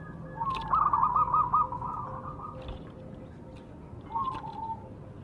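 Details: A softer, more distant zebra dove of the Majapahit type in a lure recording: a short run of stuttered cooing notes, then a brief whistled phrase, over a hissy background with faint clicks.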